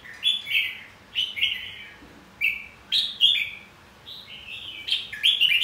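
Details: Fighting song of a red-whiskered bulbul, played to train voice and provoke contest singing: loud, clear, fluty phrases with quick slurred notes, in spaced bursts about every second.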